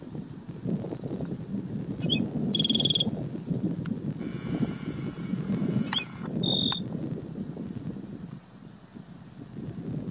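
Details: Black-throated sparrow singing at Gunlock Reservoir, Washington County, Utah, on 12 May 2016: short high thin notes, a sharp rising tick and a flat buzzy trill near the top of the range, repeated twice, over steady low wind rumble and a brief hiss.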